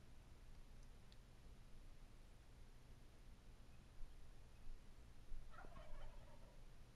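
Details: A wild turkey from a group perched in a treetop and calling non-stop gives one short, rattling gobble that tumbles downward near the end, over a steady low rumble of wind or distant noise.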